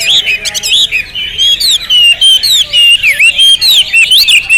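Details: Hwamei song: clear, loud whistled phrases rising and falling, delivered in short bursts with brief gaps, some sweeping upward notes and quick twittering.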